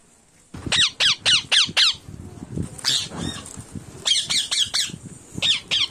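A rose-ringed parakeet gives loud, harsh, downward-sliding screeches in quick bursts of four or five, about three per second, over low background rumbling.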